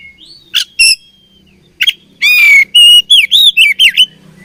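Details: Oriental magpie-robin singing as a fighting bird: scattered sharp chirps, then a strong harmonic note and a rapid series of bouncing, arched whistles about four per second.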